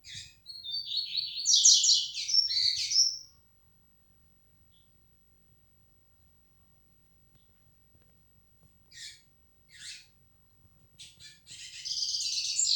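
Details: Yellow-bellied seedeater, 'flecha negra' type tournament bird: a long, rapid, buzzy twittering phrase, several seconds of silence, then separate sharp chips building into another fast scratchy run.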